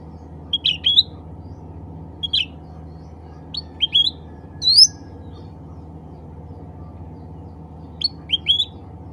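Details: Bulbul (cucak ranting) calling to other birds of its kind: short bursts of two or three quick, sharp chirpy notes, rising and falling, repeated every second or two with gaps between bursts, over a faint steady low hum.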